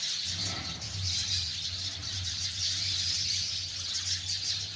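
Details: Flock of sparrows keeping up a steady wash of high, overlapping chirps, while a low engine-like hum of traffic runs underneath throughout.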